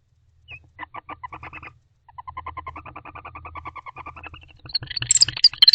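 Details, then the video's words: Night recording from inside an owl box, 25 October 2023, of barn owls calling affectionately: steady trains of rapid clucking chitters rising slightly in pace, ending with a sudden louder burst of shrill high squeaks; constant low electrical hum beneath. "Very Sweet and Varied Barn Owl Loving Vocalizations"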